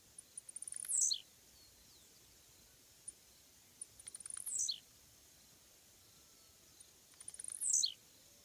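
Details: Blue-black grassquit (Volatinia jacarina) song: three high, buzzy, downslurred 'dzee-u' phrases, each opened by a few dry ticks, about every three seconds, over a quiet background.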